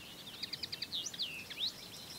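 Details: Common Linnet, a countryside bird becoming increasingly rare, sings a long strophe: a quick, twittering phrase of short chirps about eight per second, with little calls woven in, then fuller rising and falling notes, over faint background noise.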